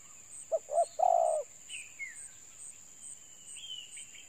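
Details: Spotted dove giving a low cooing call: two short coos followed by a longer, drawn-out croon. Faint higher chirps from other birds follow, over a steady high insect hum.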